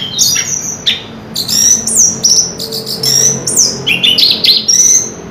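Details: Chestnut-capped thrush, a Southeast Asian forest songbird, in full song, giving varied clear whistles: rising and falling slurred notes with sharp short accents, over a soft low background hum.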